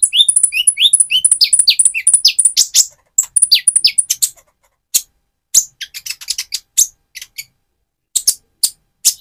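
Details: Van Hasselt's sunbird in mottled moulting plumage, singing energetically as a lure for another sunbird: a rapid three-second string of high ticks and falling whistled notes, followed by scattered sharp chirps.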